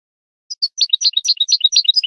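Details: From a goldfinch tutor recording for young birds: after half a second of quiet, a European goldfinch delivers a quick, tinkling twitter of high chirps and short buzzy notes.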